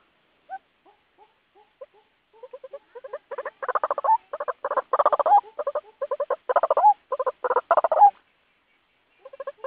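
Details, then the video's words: White-breasted waterhen lure call, used to draw other birds toward traps or bird lime; soft, sparse clucking notes build into loud, harsh, rapidly pulsed croaking bursts, then stop before a few quiet notes return. "Suara Pikat Burung Ruak Ruak"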